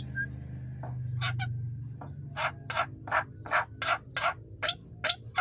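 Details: Javan myna song for tutoring other birds: after a few scattered notes, harsh rasping bursts repeat steadily at almost three per second, with a faint steady whistle underneath.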